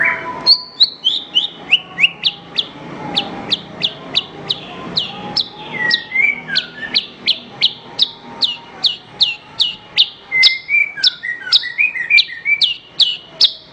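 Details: Horsfield's bush lark singing on a recording meant for training other songbirds: a long, even run of sharp downslurred chips, about three each second, mixed with brief twittering whistles and faint lower tones.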